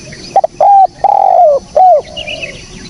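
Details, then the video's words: Single clear phrase of spotted dove cooing, recorded for luring birds: two brief coos, a long wavering falling croon, then a closing coo, with faint high chirps afterwards. "SUARA BURUNG TEKUKUR BERSIH JERNIH"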